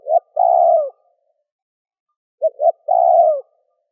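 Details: Spotted dove cooing and calling to stimulate wild doves: the tail of one phrase, then a complete one with two short hollow notes and a drawn-out, gently descending coo. Nothing else is heard.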